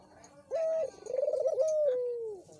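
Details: Barbary dove call played as a lure to get a silent caged dove calling: a steady clear note, then a quick pulsing trill, then a long smooth coo sliding gently downward.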